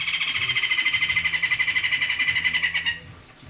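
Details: White-crested laughingthrush, said to be singing well and dancing: a steady, buzzy rattle of rapid pulsing notes lasting about three seconds, over low background hum.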